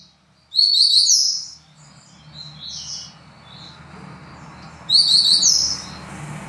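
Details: Double-collared seedeater delivering quick trilled phrases of sharp high notes, with a softer buzzy note between two loud bursts, over steady low background rumble.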